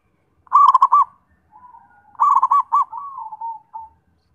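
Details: Zebra dove song with two rapid phrases of clipped, rolling coo notes, each followed by a long, gently falling coo that trails away, then a short final note.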